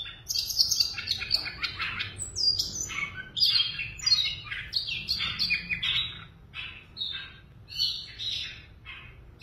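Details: Caged, tame Siberian rubythroat singing a rich, varied song of rapid chirps, buzzy phrases and high twittering notes in quick succession, with a low steady background hum.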